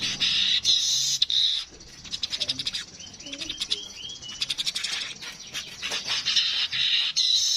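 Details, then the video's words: Streaked weaver song alternates harsh buzzy sizzles with long runs of rapid dry clicks. A few soft squeaky notes come in the middle before the buzzing returns. "Burung Manyar kepala kuning suara asli"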